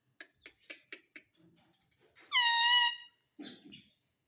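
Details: Green ring-necked parrot kept as a pet indoors, mimicking words: a row of soft clicking taps, then one loud drawn-out harmonic squawk lasting half a second, followed by faint murmurs.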